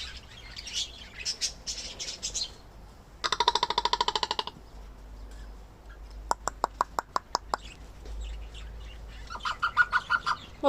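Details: A captive common raven interacting with its owner: a rapid harmonic rattle lasting about a second, then a run of sharp knocking clicks, then later a series of short nasal harmonic notes, with quiet background between.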